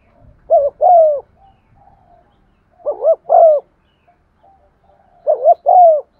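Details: Lure spotted dove in 'giọng son' voice, cooing to rouse other doves: three even phrases about every two and a half seconds, each two quick coos and a longer descending one.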